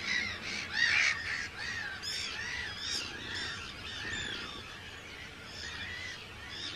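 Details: Breeding colony of Arctic terns on Rottumerplaat, the Netherlands, 4 June 2023; a loud nearby bird gives harsh, downward-arching screeching calls in rapid series, about once a second, over many distant calling terns.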